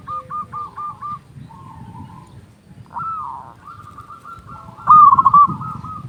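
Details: Local zebra dove cooing, used to lure doves and rouse quiet birds; soft distant coos from several doves fill most of the stretch before one loud, rapid burst of coos near the end.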